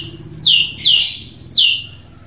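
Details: White-rumped shama giving three loud, sharp downslurred whistled notes from high to lower pitch, spaced unevenly over two seconds, with a faint low hum in the background.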